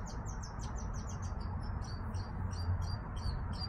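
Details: Birdsong in a backyard: quick, varied high twittering with slurred, down-sweeping chirps in close succession against constant low background rumble.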